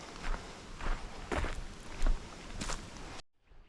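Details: Several crunching footsteps or handling bumps, then abrupt near-silence, with no animal calls.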